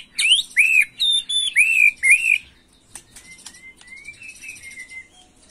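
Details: White-rumped shama singing agitated macul style to stir young birds: four or five loud arching whistles, then faint, drawn-out thin whistles in the background.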